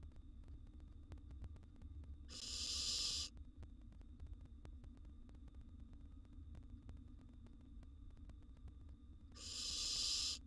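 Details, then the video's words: Barn owl nestling feeding on a gerbil, two separate harsh hissing screeches about a second long, several seconds apart, over a steady low hum and faint rustling. "now this is how a barn owl nestlings eats a gerbil"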